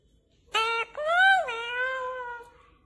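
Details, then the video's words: Parrot voice in a quiet room: a short nasal note, then a longer harmonic call that swells upward, falls away and trails off into a steady fading tone. "top parrot natural voice sound tone 2021 | parrot sound best video"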